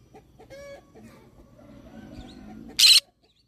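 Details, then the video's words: Green-cheeked conure giving one loud, harsh, broadband screech lasting about a quarter second near the end, after softer tonal clucking and low murmuring sounds. "green cheek conure parrot sound"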